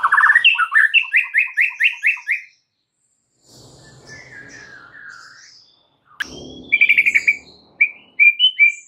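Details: White-rumped shama song meant to rouse stalled, stressed birds: a long rapid string of repeated rising whistles, a quiet gap with faint rustling, then a fresh burst of sharp whistled notes.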